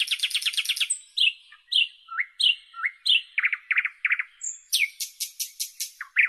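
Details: Nightingale in full song: a rapid stuttering series of notes, then repeated slurred whistles, throaty chuckling triplets, a high pure whistle and a fast run of sharp clicks ending in a low upswept note.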